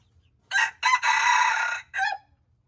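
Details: A red junglefowl's crow in four parts: two quick rasping notes, a sustained rough middle phrase, then a short falling end note, loud and clear against a low background hum.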